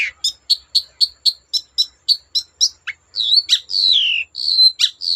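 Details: Long-tailed shrike singing to provoke other shrikes into song: a run of about ten short, even, high chip notes, then varied whistled and slurred phrases, one falling sweep and scratchy bursts.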